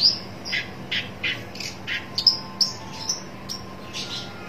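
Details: Long-tailed shrike calling in search of a rival: scattered short rasping notes and a few sharp high ticks, irregularly spaced and moderately loud, with a faint electrical hum.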